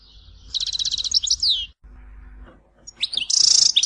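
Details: Tizi Ouzou-style Algerian European goldfinch song (complete maqamat), intended for tutoring young birds. A fast metallic trill ending in downward slurs, a pause with low background hum, then a bright buzzy rattle.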